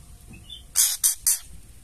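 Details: Female white-rumped shama ketrekan, a call used to goad male shamas into song: a soft thin whistle, then three loud, harsh, hissing rasps in quick succession over a quiet low hum.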